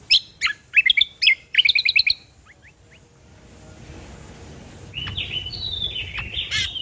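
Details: Ruby-throated bulbul song used as a lure and tutor recording for other birds: a fast run of bright chirps and short trilled phrases, a brief pause, then higher buzzy sliding notes over a faint background hiss.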